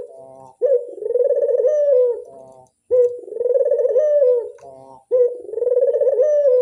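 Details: Repeated coo phrases from a Barbary dove (burung puter) used as a lure: three pulsing, rolling coos, each about one and a half seconds long with a slight rise near the end, roughly every two seconds.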